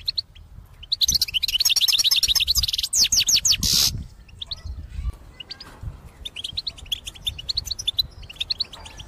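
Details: European goldfinch in song for trapping: a loud, fast cascade of tinkling twitters and trills ending in a harsh buzz, followed by softer, sparser chirping notes.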